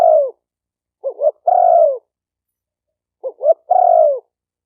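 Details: Spotted dove call used to train a new bird: a trailing coo, then two short bouncing notes leading into a long falling coo, repeated once after a pause, with no other sounds.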